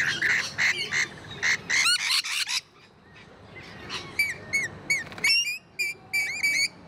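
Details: Rainbow lorikeets, parrots kept at a wildlife park and zoo, calling in rough, screechy squawks repeated in rapid pulses, then a short lull before thinner, sharper chirping notes return in quick succession.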